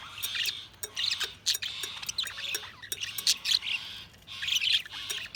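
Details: Several budgerigars chatter in dense bursts of sharp, scratchy chirps and short warbles, high-pitched and overlapping, with brief pauses between flurries and a faint low hum underneath.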